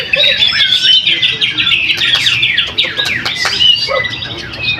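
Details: Caged greater green leafbird performing at a weekly practice singing contest in Jatisumber, Trowulan, Mojokerto, Indonesia, where it took first place; dense rapid chattering and whistled phrases, sliding up and down, continuous with overlapping birds in the background.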